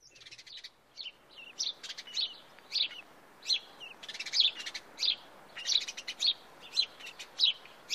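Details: House sparrow in Wittlich, 2017, chirping insistently: bright, clipped cheep notes repeated roughly every half second in a steady series, some notes doubled, over a soft hiss of background.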